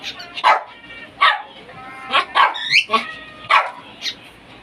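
A cockatiel talking in short, harsh, bark-like bursts, with one rising whistled sweep between them.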